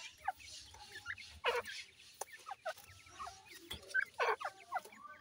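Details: Grey francolin mother with chicks at feeding time, breeding season; scattered soft chirps and short peeps, two louder hoarse bursts, and an occasional single sharp click among quieter twittering.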